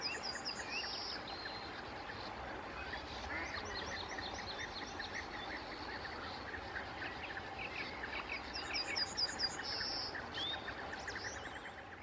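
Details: Busy chatter of many sand martins at a riverside breeding colony on the Bečva, Czech Republic, 3 June 2018; dense buzzy twittering throughout, with brief high trilled bursts from another bird near the start and end.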